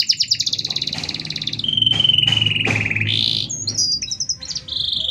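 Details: Long canary song with close-spaced phrases, meant for tutoring or provoking other canaries: rapid high trill, then long steady whistled notes with short buzzy bursts, a brief rough note and more quick trilling; faint low hum beneath.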